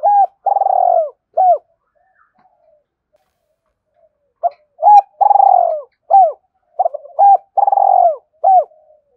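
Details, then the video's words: Fast urging coo phrases of a spotted dove, used to draw in wild doves. Rolling purred coos alternate with short curved notes in two bursts separated by about three seconds of silence. "Tiếng cu gáy thúc gù tốc độ/ cu gay kich boi nhanh noi gù"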